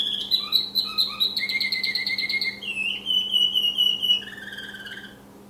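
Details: American Singer canary, a caged male, giving a varied song indoors: rapid chirps and rolling trills, a sustained lower rattling trill, then smooth whistled notes trailing off, a constant faint hum underneath.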